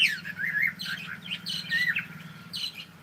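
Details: Cockatiel greeting with good morning as continuous busy chatter, mixing squeaky whistles and raspy syllables without pause, over a steady low hum.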